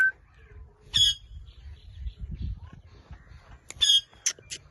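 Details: Blue Indian ringneck parrot giving two loud, harsh, buzzy screeches about three seconds apart, separated by a quiet stretch with a soft low rumble.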